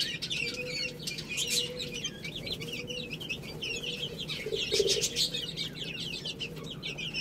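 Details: Many chicks eating rice produce a steady chorus of high, wavering peeps running together, with a faint low hum recurring about once a second.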